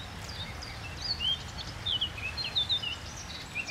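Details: Common nightingale singing from a tree by the water, giving short clear slurred whistles that rise and fall, spaced irregularly, with a steady low rushing background.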